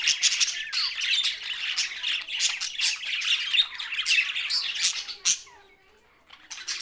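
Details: Budgerigars, an Australian parrot, chattering as a flock: dense, overlapping high warbles, squawks and rapid chirps run almost continuously, then fade to near silence for about a second before the chatter resumes.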